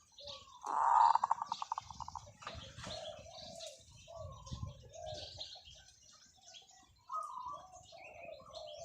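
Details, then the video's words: Decoy zebra dove giving a long song: a bright, rolling coo breaking into quick clipped pulses, then several seconds of scattered chirps and calls from other birds. "เสียงนกเขาชวาต่อ ออดยาวๆ"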